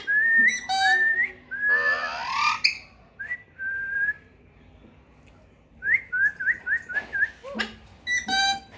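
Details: Pet parrot whistling a short rising note and a level note, then a harsh screech, then a quick series of five or six short whistled upslurs with a few clicks and a final squawk, indoors.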